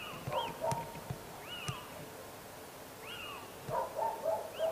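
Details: A little owl (Athene noctua) calls with short, mewing notes that rise and fall in a loose series of about four, with a few sharp clicks between them.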